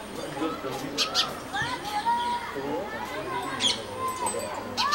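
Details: Brahminy starling in Amravati, recorded close up, chatters with short rising whistles mixed with harsh clicks and creaky notes, fairly constant, with a thin high hiss running underneath.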